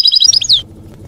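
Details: European goldfinch delivering campero, wild-type song for young goldfinches to learn from; rapid high chips run straight into slurred, descending liquid notes, ending after about two-thirds of a second, followed by soft background hum.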